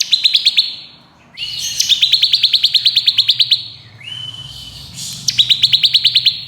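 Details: Crystal bar-winged prinia in ngebren nembak style, a fast, tight variation song for training contest birds: loud rapid strings of clipped buzzy pulses, each burst opened by a short rising whistle, with brief pauses between.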